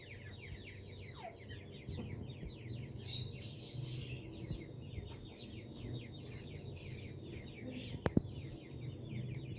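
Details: Grey partridge with chicks in Punjab: a dense, steady stream of rapid, thin, high chirps runs through the whole stretch. Brighter bursts come near the third and seventh seconds over a low rural rumble, with a sharp click close to the end.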